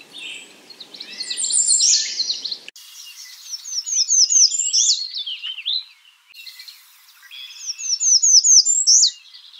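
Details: American redstart calling: high, thin phrases of quick slurred notes repeated in rapid series, some phrases dropping in pitch at the end, separated by short pauses and abrupt cuts, with a faint low background hiss in the opening seconds.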